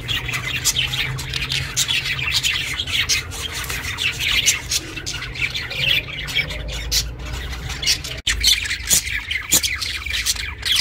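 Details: Continuous raspy chirping of a pet budgerigar, recorded for budgies kept on their own, with a brief click and a low steady hum in the background.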